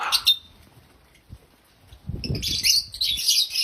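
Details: Loud chirping from happy African lovebirds: a brief shrill note, over a second of near quiet with a faint tap, then a continuous stream of harsh, high-pitched twittering.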